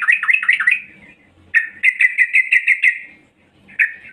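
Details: Female yellow-vented bulbul calling to lure males, heard as bursts of rapid bubbly chattering notes, the middle burst a quick even series of about eight repeated chirps, with short silent gaps between bursts.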